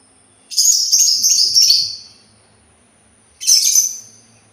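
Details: Sultan tit with a scratchy, chattering phrase of about one and a half seconds, then a shorter burst after a pause of roughly a second; a faint steady whine is in the background.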